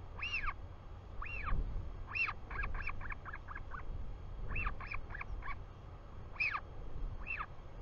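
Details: Royal albatross at a live nest camera in New Zealand, 24 July 2020, 4:06 pm, father arriving: sharp arched yelps in uneven clusters, some singles, some quick runs of five or six notes, steady wind rumbling beneath.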